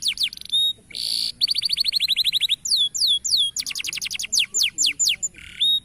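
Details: Local canary singing a varied training song meant to get other canaries singing: buzzy bursts, fast rolling trills and clear downward-slurred whistles in quick succession, with short gaps between phrases.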